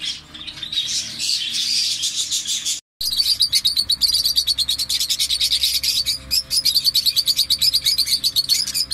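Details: Parrots calling: after a brief gap, a dense run of rapid, high, scratchy chirps pulses several times a second, with shrill notes layered over one another as if several birds call at once.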